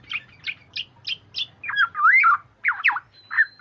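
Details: Oriole lure audio: a quick series of five or six short, sharp chirps about a third of a second apart, then looping fluty whistled phrases and a few more clipped notes.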